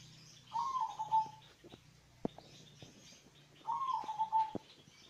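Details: Zebra dove of a local strain with a bass-heavy voice, meant to draw other doves into song: two matching rolling, trilled coo phrases about three seconds apart, with faint clicks and knocks between them.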